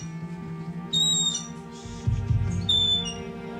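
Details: An injured Bald Eagle with a wound to its wing, rescued in Alaska and examined at a raptor center, gives two thin, high, whistled screeches, each slurring slightly downward, about 1.5 seconds apart, over low humming music.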